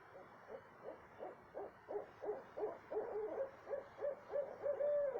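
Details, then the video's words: Owl calling at 2:30 am in south central Texas: a run of short hoots that quicken and grow louder, ending in a longer held note that slides downward, with faint background hiss. "what kind of owl makes noise like this"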